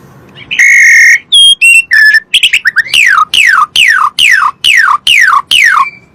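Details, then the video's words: Asian pied starling song used to coax other birds into singing: a steady whistle and mixed chirps, then a regular series of loud downward-sweeping whistles about three per second. "PANCINGAN SUARA BURUNG JALAK SUREN"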